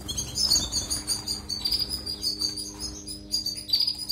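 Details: European goldfinch song played to train canaries: an unbroken, fast, liquid twitter of high tinkling notes with buzzy trills, pouring on without pauses.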